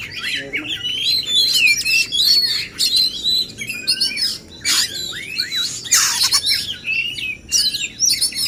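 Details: Male oriental magpie-robins matched against each other in a song contest to spur fuller singing; busy sweeping whistles, harsh squawks and quick chattering notes overlap throughout, with loud broadband bursts near the middle.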